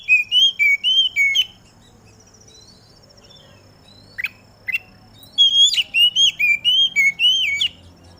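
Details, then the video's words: Oriental magpie-robin song aired in the morning dew to get other magpie-robins singing: two bursts of rapid, repeated slurred whistles separated by a quiet gap with a few sharp chips, a faint steady high buzz behind. "Burung Kacer Mana Yang Gak Bakal Ikut Gacor Ketika Dengar Suara Kacer Di Embun ini"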